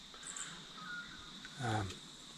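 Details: Barking Owl, rare in Victoria, calling about 6:30 in the morning in a huge grey box tree at a Newstead cemetery, gives a single gruff, dog-like woof over a steady high insect drone and faint distant bird chirps.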